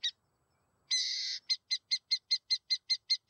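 A Burrowing owl gives a harsh, hissing rasp, then a fast chatter of about twelve short, scratchy notes, roughly five per second. Nothing else is heard.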